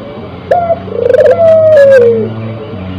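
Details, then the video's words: Spotted dove in breeding condition gives one phrase: a brief clipped opening note, a rolling trilled stretch, then a drawn-out coo that slowly falls in pitch. "Suara Burung Puter yang Memukau"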